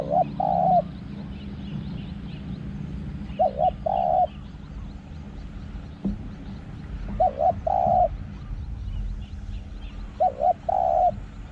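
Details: A spotted dove in a forest area gives soft, mellow two-part coos, a short note then a longer one, repeated about every three and a half seconds over a low background hum.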